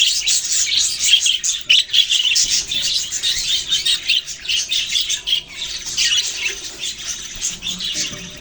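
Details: Australian parrots, budgerigars, chattering steadily: scratchy warbles and quick chirps running together, with a few louder sharp notes standing out.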